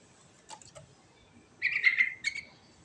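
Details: Rolling 'ngerol' song of a sooty-headed bulbul: a few soft clicks, then a dense, buzzy chattering phrase just under a second long, ending with a brief upward chirp.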